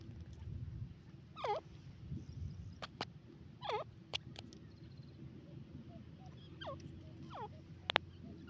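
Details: A grey francolin (Francolinus pondicerianus), possibly a female, gives loud, ringing, looping call notes, spaced a couple of seconds apart.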